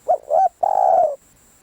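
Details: A single spotted dove phrase from a decoy bird: two short hooting notes, then a sustained, slightly wavering falling coo, close and clear against quiet.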